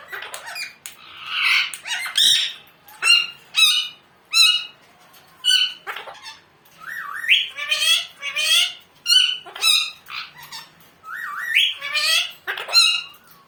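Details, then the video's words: Pet talking parrot saying "mummu": loud harsh squawks alternating with short harmonic, wavering speech-like calls and rising whistled notes, bursts roughly every second, quiet background. "Funny Talking parrot video😱#Bolny wala toota#mitthu saying mummu🤗"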